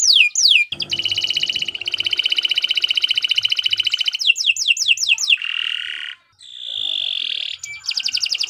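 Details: Long, lively canary song meant for teaching other birds: brief falling whistles, an extended rapid trill, a burst of sweeping notes, then a nasal buzzy tone and a sustained whistle.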